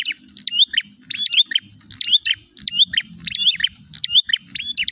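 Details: Prinia seeking a rival to fight, uttering vigorous high chirp phrases about one and a half per second, each a quick cluster of sliding notes, low background rumble.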